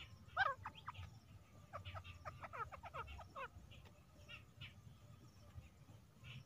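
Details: Female grey francolin, locally called teetar, recorded as a hunting sound; a quick series of sharp, bending notes in the first half, followed by fainter scattered notes over a low rural rumble.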